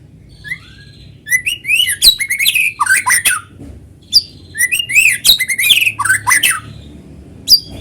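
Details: Vigorous natural white-rumped shama song meant to lure other shamas into singing: two long bursts of clear upslurred whistles interwoven with rasping, crackling high notes, separated by a brief quieter gap.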